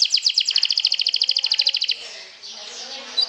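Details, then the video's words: Canary song played as a lure to stir other canaries' emotions: a rapid, evenly pulsed high trill for about two seconds, then fading to faint scattered notes with a brief chip at the end. "PIKATAN KENARI, PANCING EMOSI, TERAPI STRESSS, SIAP GANTANG LAGI"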